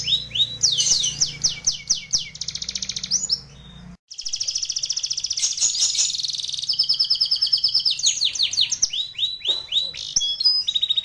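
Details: Canary song for training other canaries: rapid rolling trills and descending whistled notes, a short break, then long dense buzzy trills and repeated fast chirps.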